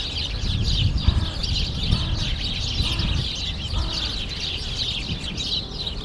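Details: Many sparrows bathing in meltwater puddles, Friendship Park, Moscow, early March 2014: a lively mass of sharp chirps and twitters, some clearer individual notes standing out, with a deep background rumble and occasional soft splashes.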